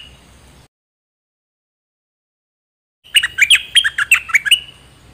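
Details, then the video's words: Recording of a Dok Taeng bird, played to train young birds and make birds excited: after silence, an energetic phrase of crisp, rapid, downward-sliding chirps, about three per second. "เสียงนกดอกแตงEp.2 ใช้หัดลูกนก เปิดให้นกคึก!!"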